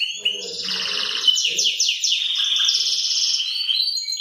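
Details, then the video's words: Belgian canary of the salsa type singing early in the morning; a fast, dense run of rolling trills and buzzy sweeps, bright and high, with a few lower warbled notes near the start. "CANÁRIO SALSA CANTANDO ESTOURADO"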